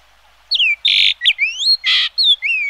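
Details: A single rich phrase of Yellow-billed Grosbeak song: downslurred and upslurred whistles interleaved with rasping buzzy notes, seven elements in quick succession.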